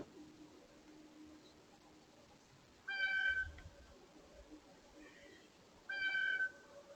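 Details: Blue jay calling at a bird feeder, its screaming and squeaky gate sounds noted: two loud, nasal, ringing calls about three seconds apart, each half a second long, over a quiet hissing background.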